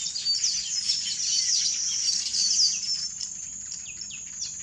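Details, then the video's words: Village weavers (Ploceus cucullatus) in Kruger National Park, South Africa, chattering continuously in a dense, high-pitched mix of buzzy, sizzling notes and short chirps, like a busy colony all calling at once. "Village Weaver (Ploceus cucullatus) Bird Call"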